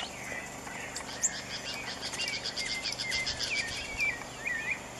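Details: A common tody-flycatcher at Chagres Resort, Panama, on 25 April 2015, gives thin, high chipping notes, several each second, some slurred up or down, over a steady hum of insects.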